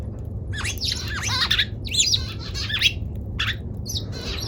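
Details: Eurasian tree sparrow giving one of its many call types: a dense, squawky run of chirps and slurred notes, almost unbroken for four seconds, over a low background hum.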